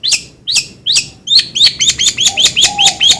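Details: Long-tailed shrike giving sharp, high chirped notes with quick downward slurs. They start slowly, then speed up into a rapid, uneven series, while a faint low steady tone runs beneath.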